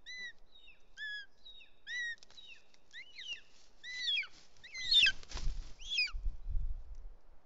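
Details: Bonelli's eagle nest scene in Els Ports, Catalonia, afternoon of 2 July 2023: a male brings a snake to the chick as a female arrives. A series of arched whistles quickens and overlaps, then loud rustling or flapping noises follow near the end.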